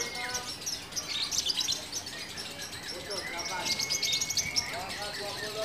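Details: Lovebird with konslet-style song, a first-place winner at a singing contest in Cirebon; dense shrill chirps and rapid high twittering trills from several birds, a long thin drawn-out tone, with voices in the background.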